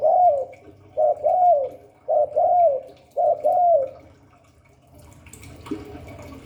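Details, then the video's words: Spotted dove, Hạp Bổi voice, repeats four paired coo phrases about once a second, a short note then a curved longer coo, followed by quiet and a brief clatter. "Tiếng chim cu gáy Giọng Hạp Bổi 38. Đủ bài THúc GÁY GỌI - GÙ HAY Kích Bổi Nhanh Nổi, Cu đất gáy"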